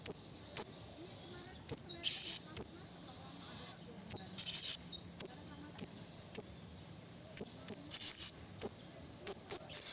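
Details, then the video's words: Blue-crowned hanging parrot in the wild, calling a rival: a rapid scatter of sharp, very high squeaks and a few longer buzzy, rasping notes, irregularly spaced across ten seconds, over a faint continuous high tone. "Suara Burung Serindit Memanggil Lawan Alam Liar"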